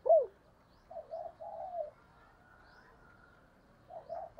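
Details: Decoy female spotted dove calling to provoke wild doves: one loud short hooked note, then a quiet run of three mellow coos, and a faint coo again after a long pause.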